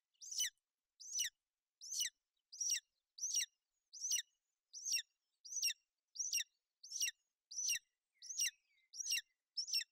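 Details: Female golden eagle and chick on the nest in Bucovina, 28 May 2021, with the mother keeping the chick warm and dry in bad weather. Fourteen evenly spaced, piercing, falling chirps sound about one per 0.7 seconds against a quiet background.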